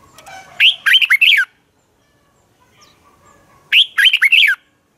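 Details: Red-whiskered bulbul fighting song used to train birds, morning song: two loud bursts about three seconds apart, each a quick run of four or five whistled, slurred notes swooping down, with faint chirps between.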